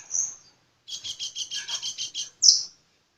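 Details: Sunbird in full song: one high thin whistle, a pause, then a fast trill of about eight buzzy notes, ending in a sharp high note.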